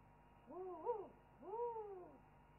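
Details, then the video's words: An owl chorus picked up by a wildlife webcam before one bird preens and settles: two mellow, arched hooting phrases, each about half a second long with a wavering middle, over a low constant background hum. "After an owl chorus"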